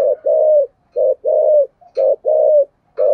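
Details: Spotted dove cooing in the 'thổ sấm' voice, a complete song with a two-part ending: a brief low coo followed by a longer rounded note, repeated three times at an even, unhurried pace.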